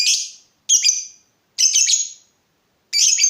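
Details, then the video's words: Lovebird singing actively, used as a lure recording to rouse other lovebirds: four harsh, screechy, high bursts, each about half a second, separated by short silences. "Pancingan lovebird terbaik bikin lovebird anda panas"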